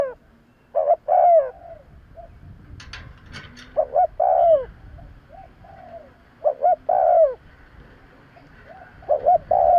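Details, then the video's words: Spotted dove cooing in a lure recording for attracting birds: three phrases of low, rounded coos, each a few quick stuttered notes ending in a longer swelling coo, spaced about three seconds apart, with faint high chirps between them. "Tiếng chim cu gáy kèm kích bổi nhanh nổi - Suara yang menarik suara Tekukur Enak Didengar Buat Pikat"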